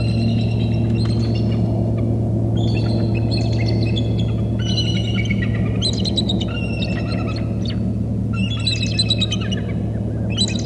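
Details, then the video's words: Two bald eagles arriving at their Hornby Island nest, filmed by a nest and territory camera, call excitedly: bursts of high, piping, chittering notes that fall in pitch, repeating in quick series throughout over a steady low electrical hum. "2 eagles into the bst from the right calling excitely"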